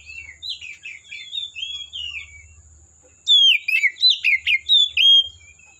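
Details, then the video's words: Forest Oriental magpie-robin song: soft, wandering whistled phrases first, then a loud run of sharp, rich whistles and chattering notes, with a faint steady high tone throughout. "Suara Burung Kacer Asli Hutan"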